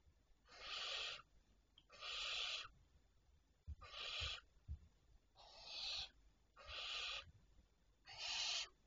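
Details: Barn owl at night, 25 May 2023 around 01:51, giving six long, harsh hissing screeches, each lasting about a second, roughly every one and a half seconds, with faint low rumbles in between.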